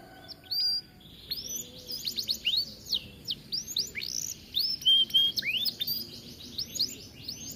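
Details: Atlantic canary in spirited song for training other canaries: a jumble of quick curved whistles, brief trills and a clear held note, delivered in bursts with small gaps.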